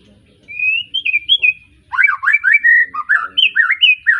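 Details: Recently moulted young white-rumped shama, a caged bird of Arko Tangerang stock from Pemalang, Indonesia, delivers a clear, wavering whistle, a pause, then an energetic string of rapid, varied slurred notes swooping up and down.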